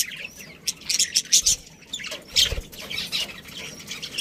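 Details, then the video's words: Several budgerigars of a colony chirping, including a breeding pair: quick high chirps in clusters, a brief lull, then more twittering and squawky notes. "Cute Budgies Chirping Sounds"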